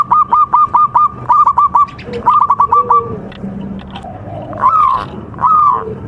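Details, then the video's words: Local zebra dove (perkutut) singing, recorded as contest training material. Quick, evenly spaced nasal notes come in three bursts, followed by two longer, drawn-out notes that rise and then fall. A faint low hum sits underneath. "MASTERAN PERKUTUT LOKAL SPECIAL KONTES | TURTLE DOVE JAVA BIRD (COLUMBIDAE) SINGING"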